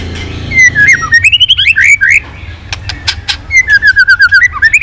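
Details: White-rumped shama stirred into intense singing, tail flicking constantly, running a long swiftlet-style phrase with shifting voices. A rising whistle is followed by quick repeated slurred notes, then a falling run of rapid chips. Low background hum.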